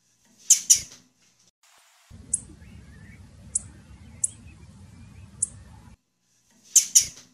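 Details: A female blue-black grassquit, played to attract males, gives thin, very high, sharp chips, singly or in quick pairs, a second or so apart, over a low rumbling hum.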